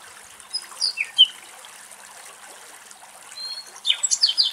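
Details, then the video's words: Nightingales singing among the leaves of an almond tree in the Greek countryside: scattered clear whistled notes and short slurred phrases, separated by pauses, ending in a quick burst of bright, high notes. "Αηδόνια Κελάηδημα - Αηδόνια Κελάηδημα στην Αμυγδαλιά - Nightingales Magic Song"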